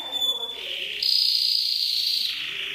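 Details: Canary singing in an Indonesian compilation combined with trickling water; a thin steady whistle gives way to a louder, higher sustained roll that slowly drops in pitch.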